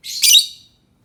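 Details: One brief, piercing, rasping squawk from a lovebird, starting softer and swelling to a loud harsh burst before fading, in an otherwise quiet setting.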